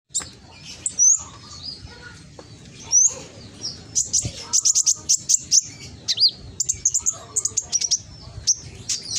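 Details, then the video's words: Konin song used as a lure recording to stir a lazy konin into singing, recorded on a phone in Gresik, East Java: loud, high chirps and sharp upswept whistles, rapidly repeated in bursts, with faint low background hum. "Pancingan konin yang malas bunyi langsung emosi ikut nyaut"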